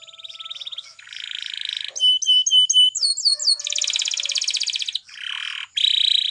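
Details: Spanish Timbrado canary song for canary training, built from varied phrases: dense metallic buzzing rolls, clear whistled notes, quick falling sweeps, and further rattling trills in sequence.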